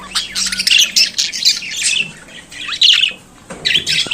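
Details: Chattering budgerigar, a pet bird native to Australia, in a dense continuous warble of scratchy chirps and squawks, a short quieter gap before a final burst.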